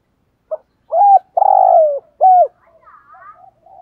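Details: Decoy spotted dove calling to stir up wild males: a hollow three-part coo, with a short lead note, a steady coo, a long grainy falling coo and a crisp final coo, trailing off into faint soft murmurs.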